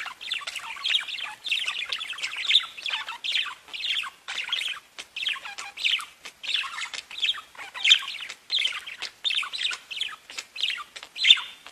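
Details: Several pet budgerigars chirping and singing: steady rhythmic chatter of short rasping and squeaky phrases, repeated about every half second with brief gaps.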